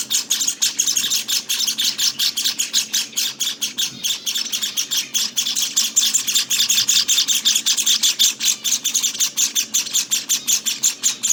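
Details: Begging from Java sparrow nestlings, day 18: a continuous, insistent stream of shrill, raspy chirps repeated nearly twice a second, loud and unbroken throughout.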